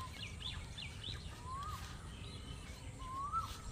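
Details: Asian koel near a village field on a quiet morning at the end of spring gives two rising whistled 'kuhu' notes about two seconds apart, calling intermittently, with other small birds chirping over a steady low rumble.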